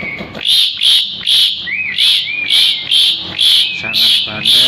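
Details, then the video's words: Asian pied starling singing vigorously, kept as a tutor bird for training other birds: harsh, scratchy bursts repeated about twice a second, with a wavering, slightly rising whistle running underneath midway through. "JALAK SUREN GACOR"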